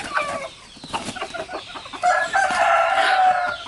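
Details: Soft clucking and short notes from roosters and hens, then one of the three roosters gives a loud, drawn-out harmonic crow lasting nearly two seconds, crowing as communication with the others.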